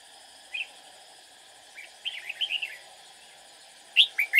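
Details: Red-whiskered bulbul decoy singing while trapping to lure rivals: a lone note, a quick run of warbled chirps, then sharp loud notes closing out, with steady background buzz.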